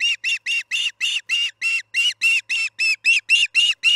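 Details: Osprey at the Charlo nest during evening feeding on July 9, 2019, around 6 pm MDT: a rapid, steady series of loud, squeaky, whistled chirps, about fifteen in four seconds, evenly spaced with short gaps.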